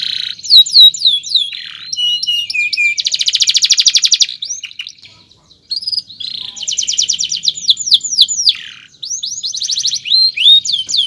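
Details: Canary singing a long chirping song used for training other birds; rapid high sweeping whistles, dense buzzy trills and falling slurred notes in quick succession, with one short pause midway.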